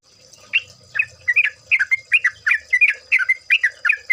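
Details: Yellow-vented Bulbul lure recording: after a soft start, bright gurgling chirps pour out in quick pairs and triplets, liquid and slurred, growing denser toward the end, with a faint low rumble early on.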